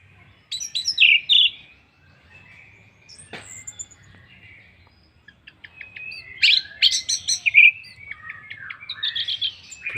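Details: Orange-headed thrush song used as a lure to get other birds singing: two bursts of rich, varied phrases of sweet whistles, chattering notes and quick trills, separated by a quiet pause of about two seconds.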